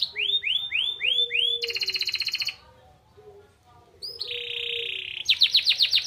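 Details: Canary with white-eye (pleci) material in its song, intended to excite listening birds. A series of clear upslurred whistles gives way to a harsh buzzy trill, a near-silent pause, then a steady rattle and bright rapid notes.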